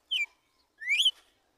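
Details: Wild red-cowled cardinal singing the song style called tiro de guerra in the morning: two clear whistled notes, a short falling slur then a longer rising, upswept whistle, in a quiet background.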